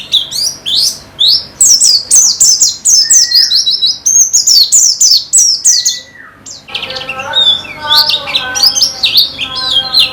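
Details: Caged white-eye performing a rapid high twittering song with short slurred downward notes; midway a different buzzy, lower repeated phrase with rich harmonics joins, possibly another bird.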